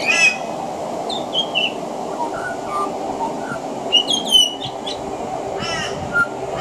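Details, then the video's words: Pied butcherbird singing from a veranda, its song mixing in mimicry of other Australian birds: scattered clear whistled notes, some sliding downward, with bursts of harsher buzzy stacked notes around the middle and near the end. "Mimicry of the pied butcherbird"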